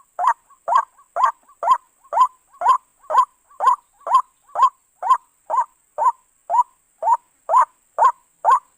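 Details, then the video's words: Repeated croaking call of a white-breasted waterhen, used for bird trapping. About 18 coarse, upward-bending notes come at a brisk, even pace of roughly two per second, with a faint continuous high whine. "suara burung ruak ruak"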